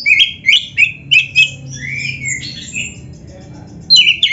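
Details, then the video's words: Caged white-rumped shama song used as a master to prompt other birds: rapid slurred whistled notes between about two and six thousand pitch bands, several short phrases in the first second and a half, a quieter warble, then loud phrases resume. "SUARA BURUNG KACER GACOR ISIAN‼️Masteran Kacer Gacor ini Cocok Buat Pancingan - AGAR CEPAT GACOR"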